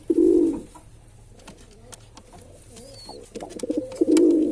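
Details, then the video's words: Male pigeon giving a deep, rounded coo at the start and another building at the end, with soft muffled notes, clicks and a brief faint chirp in between. "Pigeon Sound Effect"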